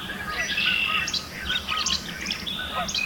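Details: Yellow warbler (Setophaga petechia) singing in spring among fresh green leaves in Alberta, Canada: bright, high, sweet whistled notes in quick bursts, with other faint chirps and soft outdoor noise behind.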